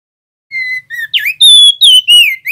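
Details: Male crested darkeye singing in rolling 'ngeroll' style, used for tutoring songbirds: pure, sustained whistles followed by quicker swooping and dipping slurs, loud and clean against a silent background.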